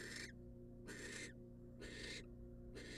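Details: Female barn owl, wild, in a nest box as the male brings her a rat, gives rasping broadband hisses, four bursts about one second apart, with a constant low hum underneath.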